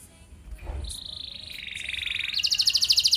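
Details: Canary in full, steady song meant to prompt other canaries to answer and sing at length. After a faint start, a level whistled trill appears, dips lower, then jumps into a fast, loud, high rattling roll.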